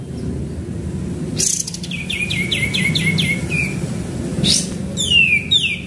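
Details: Actively singing sooty-headed bulbul, a lure recording: a rapid string of about six short falling notes, then louder sweeping whistles at the close, with a low humming background.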